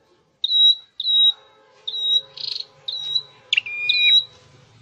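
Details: Caged scarlet-headed flowerpecker in training, giving a series of short, thin, very high whistled notes about a second apart, followed by one longer, lower, stepped whistle, over a faint background hum.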